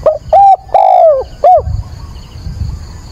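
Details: Spotted dove used as a decoy, calling at dawn on 22 October while being trained. A full cooing phrase: a short hoot, a rising note, a long drawn-out descending coo and a clipped closing note.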